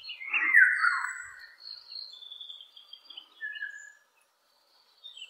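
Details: Eurasian golden oriole singing high and far off: a loud, mellow fluted phrase dropping in pitch at the start, followed by thin high whistles and a short clear whistled note.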